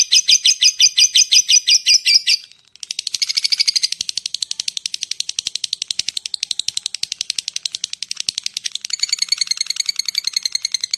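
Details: Lovebird (labet) ngekek calling meant to draw in other lovebirds: a short burst of rapid harsh chatter, a brief gap, then a long, thinner run of fast ticking notes ending in louder rasping chatter.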